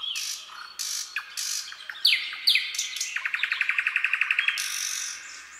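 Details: Common nightingale (Luscinia megarhynchos) singing at night in a forest: varied phrases of harsh buzzy bursts and sliding whistles, then a fast run of about a dozen loud, evenly spaced notes.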